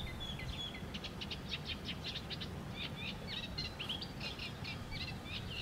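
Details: Young Canada geese (goslings) from a productive local breeding season, seen close up eating, playing or resting; a steady stream of short, high peeps and chirps, some rising and falling, repeated rapidly over a low rumbling outdoor background.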